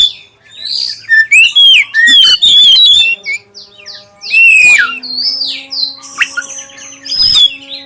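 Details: Lure song of a black-breasted oriental magpie-robin, played so other magpie-robins will sing, clear in tone: jumbled bursts of fast whistles, rising and falling slurs and harsh notes, with pauses between phrases and a low hum beneath.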